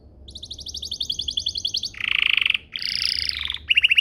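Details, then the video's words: Canary song meant to spur other canaries to sing: a long rapid high trill, then two dense buzzy rolls and a short bright burst, over faint background hiss. "Pancingan Burung Kenari agar CEPAT BUNYI, terbukti ampuh bikin burung kenari lain nyaut"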